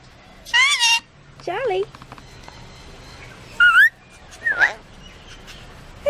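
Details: Pet parrot imitating human speech, saying "bless you" after a sneeze: four short harmonic, warbling syllables with wavering, speech-like pitch, spaced about a second apart against faint room noise.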